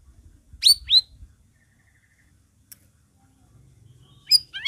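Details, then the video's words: Sooty-headed bulbul song, played to prompt other cage birds that have stopped singing: two loud, sharp, steeply falling chirps close together, a long quiet gap with a faint tick, then a quick bright pair of notes at the end. "KICAU CUCAK RAWIS COCOK UNTUK PANCINGAN BURUNGMU YANG MANDEK"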